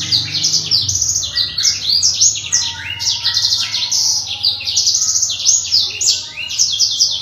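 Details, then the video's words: Black-throated canary singing continuously, a kept cage bird in energetic full song: rapid high twittering trills and sweeping whistled notes run without pause, with faint low background hum. "Kicau BURUNG BLACKTROAT SOMERINI GACOR !!!"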